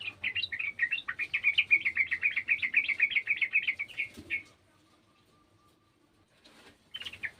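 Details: Garden sooty-headed bulbul calling with an untrained bird: a fast, rolling trill of bright notes lasting about four seconds, then near silence, then a brief final burst of chirps.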